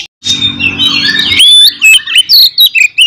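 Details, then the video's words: Oriental magpie-robin giving a fighting song to provoke rivals: sliding whistled notes over a low buzzing hum, then short clear whistles and sharp bursts in quick succession. "SUARA BURUNG kacer gacor NGEPLONG TARUNG ini paling AMPUH buat PANCINGAN KACER agar Full EMOSI"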